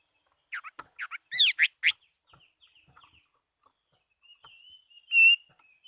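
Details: Chinese hwamei, a fighting bird, giving short bursts of loud rising and falling whistled notes, then soft twitters and one long, bright, sustained note near the end, over a faint steady high ticking.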